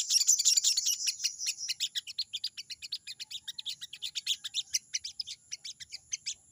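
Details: Fast, insistent "crecet crecet" chatter of a crested jay (sogon) provoking a rival. Sharp high chirps repeat almost three times a second, loudest at the start. A steady high-pitched tone sits behind them.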